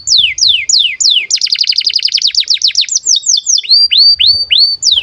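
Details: Breeding-condition canary singing, meant as a model song for young birds: several descending whistles, a dense buzzy trill for about two seconds, then slower swooping notes and rising hooked whistles repeated about every half second, with soft low background rumble.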